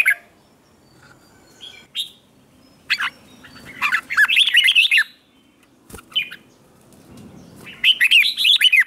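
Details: Red-whiskered bulbul morning song used to stir wild-caught bulbuls into competitive singing: bright, bubbling warbled phrases with quick rising and falling notes in two main bursts, separated by short chirps.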